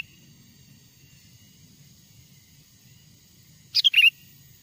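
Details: Sooty-headed bulbul lure song from a wild bird, meant to attract wild bulbuls: after a long quiet stretch, a single quick phrase of bright, slurred whistled notes near the end, with low hum throughout.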